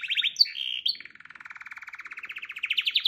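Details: Canary song: a few quick whistled notes and a sharp high chirp, then a long soft rolling trill that gradually rises and grows louder toward the end.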